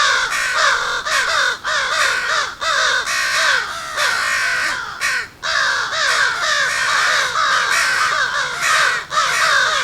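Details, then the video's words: Crows giving angry, agitated alarm calls at a fox on the ground, recorded near a home: dense overlapping harsh caws, each with a downward-bending arc, from several birds calling almost continuously with brief gaps. "So that was crows doing an alarm call at a fox."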